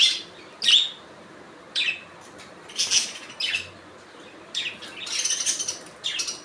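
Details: Budgies calling with scattered sharp chirps and a later run of rapid, buzzy warbling chatter.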